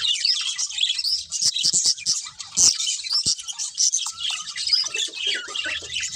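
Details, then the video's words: Several budgerigars chattering together: a dense, continuous stream of high, scratchy chirps and warbles with short squeaky notes layered over one another, with no pauses. "Cute Budgies Chirping Sounds"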